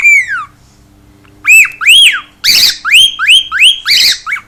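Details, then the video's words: Noisy pet cockatiel singing at home: one long falling whistle, a pause, then a rapid string of arched up-and-down chirps with harsh screechy notes mixed in. "CALOPSITA(KIKO) CANTANDO E FAZENDO BARULHO!"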